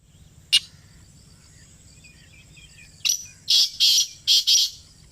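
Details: Black francolin (kala teetar) heard close up: a single sharp note, a quiet gap, then a grating phrase of four loud, buzzy, harsh notes, the last two paired closely.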